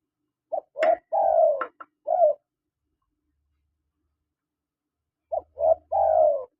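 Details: Male and female spotted doves calling: a phrase of short coos leading into a longer falling coo with a final short note. After a silent gap a second similar phrase follows, with a faint low hum.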